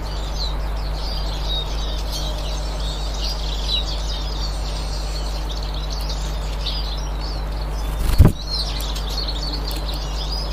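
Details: Eurasian siskins recorded 18 March 2024, giving a continuous thin, high twittering chatter from several birds, over a steady low hum with a single sharp knock near the end.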